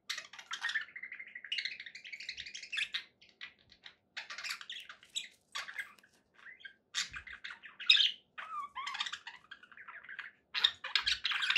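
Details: Pet budgies making happy sounds, softer bouts of scratchy chatter and thin chirps separated by short silences, including a sustained buzzy phrase at the start and a few whistled slurs.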